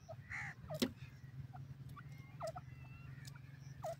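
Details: Francolin (teetar) calling outdoors: sharp, repeated hooked notes about every one and a half seconds, over a steady low engine-like hum and a loud click.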